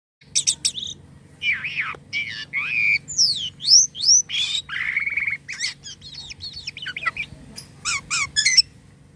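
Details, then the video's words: Jalak kapas starling singing actively with unusual sounds: a varied run of harsh squawks, buzzy notes and sharp whistled V-shaped slurs, rapid and irregular, with a low steady hum underneath. "jalak kapas gacor corr suara aneh"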